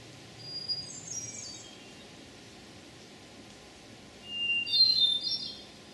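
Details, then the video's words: Hermit Thrush song in Memorial Forest, Sudbury, Massachusetts, June 11, 2012: a high, thin phrase of rippling whistled notes, then after a pause a lower long whistle that leaps upward into a shimmering flourish, with quiet background noise. "Hermit Thrush Song"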